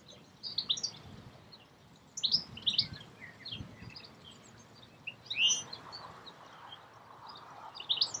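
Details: European goldfinch in May 2016 at Escherange, France: scattered bright chirps and short twittering notes in spaced bursts, with soft low background noise.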